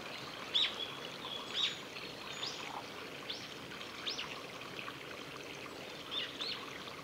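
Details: Male Japanese thrush at Ōhora spring, Lake Yamanaka, Japan, on 23 April 2018, giving short, high chirping calls about once a second over the steady rush of the spring's water.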